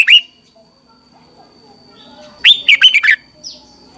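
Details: Morning training song of a red-whiskered bulbul, used as a lure to push newly caught birds into singing: one short, sharp note, a long quiet gap, then a quick rush of five or six bright, warbling notes and a fainter trailing call.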